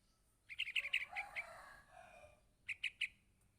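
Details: Yellow-vented bulbul chick begging from its parent: a fast string of shrill chirps, then a softer, lower drawn-out sound, then three more sharp chirps.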